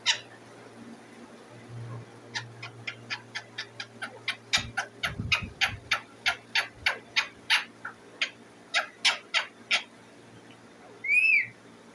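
A parrot begs for food with a rapid series of short, harsh, raspy notes, about two per second, that grow louder, then gives a final rising-and-falling squawk.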